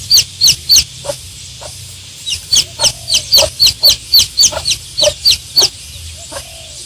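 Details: Peeping of one-day-old baby chicks: loud, shrill, downward-slurred cheeps repeated rapidly in bursts of several notes, with brief pauses between runs and a faint low hum beneath.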